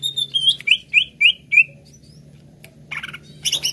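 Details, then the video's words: Cucak ijo, the greater green leafbird, singing as a lure to make a bird sing: a string of five clear downslurred whistles about a quarter second apart, then a pause and a few harsh high chattering notes. "RUTIN PANCING CUCAK IJO ANDA DENGAN INI AGAR CEPAT GACOR"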